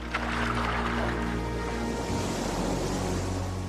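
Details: Sustained musical tones with low drones and swelling chords; no animal voice stands out.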